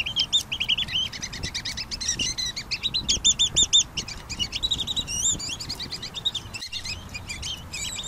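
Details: Pygmy nuthatch in busy high-pitched chatter: rapid squeaky piping notes, some in tight rising-falling runs, overlapping and continuous throughout, with light low rustling.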